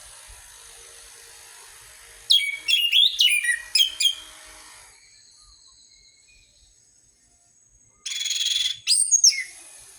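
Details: Orange-headed thrush lure song for birds that have stopped singing: a dense burst of varied sweeping whistles lasting about two seconds, a long quiet gap, then a shorter rich burst of notes.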